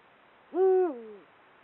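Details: A male Eurasian eagle-owl in breeding season hoots to mark territory: a single deep, steady low note that drops into a softer, lower tail, about two-thirds of a second long, against a quiet background.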